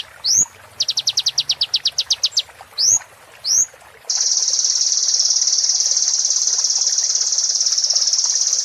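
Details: Training recording of a sunbird for caged songbirds: upslurred whistles and a short burst of fast high chips, followed by a long, shrill, continuous buzzing trill that fills the rest.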